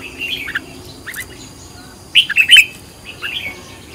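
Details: Red-whiskered bulbul in training as a decoy bird, with soft chirps early, then a short, loud cluster of three sharp whistled notes midway and a few fainter chirps after.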